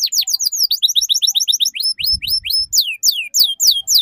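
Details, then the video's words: Ngeriwik-style canary song, a lure recording for young learners: fast, high, repeated downward-sweeping chirps in a steady stream, some sliding upward, about four per second. "Suara PANCINGAN Kenari Paud Belajar Bunyi Ngeriwik"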